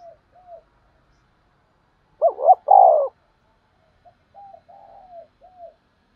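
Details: Spotted dove used as a trapping lure. Faint coos lead to a loud paired coo near two seconds, then a run of quiet, short, downward coos.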